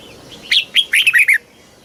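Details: Red-whiskered bulbul singing in the southern master style from Thailand, used to rouse birds and tutor young ones: a single short phrase of five or six sweet, bubbling whistled notes.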